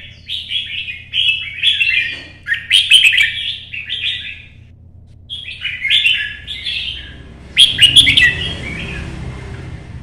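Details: Red-whiskered bulbul kept as a songbird in Vietnam, singing a combative solo in the early morning sun: clustered bursts of rapid, slurred warbling with sharp high notes, a pause, then more phrases; a low rumbling noise rises near the end.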